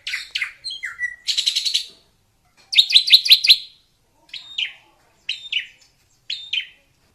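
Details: Melodious drongo song in the wild, opening with whistled downslurs and a buzzy burst, then a rapid rattling series of harsh notes, ending with spaced pairs of short, falling chirps.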